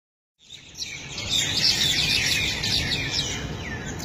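Mynas chatter in a busy jumble of harsh, squeaky chirps and whistles, several birds overlapping at a rapid pace over a steady low background rumble.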